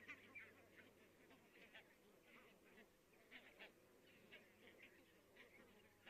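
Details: Distant flock of barnacle geese in Estonia, 22 October 2017, many birds calling at once: a dense murmur of brief barking yaps rising and falling, some brighter bursts in the middle, with a low steady hum beneath.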